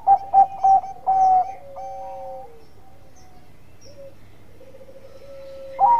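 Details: Zebra dove of the Bangkok perkutut type, singing actively to draw rivals into answering: three quick stuttering notes and a longer warble, then level hollow tones that drop lower and fade, with a final rising note at the end.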